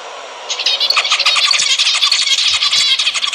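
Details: Zebra finches, sound aimed at encouraging breeding: after half a second of quiet, dense buzzy chatter starts. Stacked nasal notes and squeaks from several birds continue steadily to the end.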